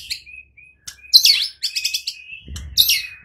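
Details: White-rumped shama sound used to lure other shamas into full singing: a rich, varied jumble of whistles, sweeping slurs and buzzy bursts, with soft low thumps partway through.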